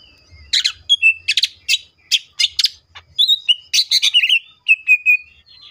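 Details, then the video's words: Green leafbird in 'full tembakan' song, mixing bursts of harsh high chirps with clear whistled notes and sliding, slightly downward-bending tones in a varied, lively sequence. "CUCAK IJO FULL TEMBAKAN❗MATERI BANYAK MANA MUNGKIN IJO KALIAN TIDAK IKUT GACOR!"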